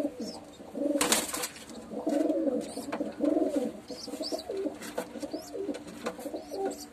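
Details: At a nest in Tamil Nadu, India, a homing pigeon chick begs with thin, high squeaks about once a second while its mother feeds it, over low, throaty murmuring coos in a small room.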